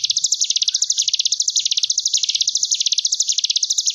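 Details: Sunda bush warbler, ngebren gelombang tawon tutor song for young ciblek gunung aged ten days to three months: an unbroken, fast, bee-like high trill rolling up and down in regular waves.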